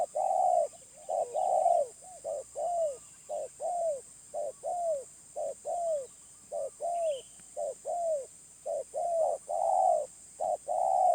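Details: Wild spotted dove with a medium-pitched voice style, giving a long run of low, mellow coos. Short and drawn-out notes alternate almost without pause, with faint high chirps from other small birds in the background.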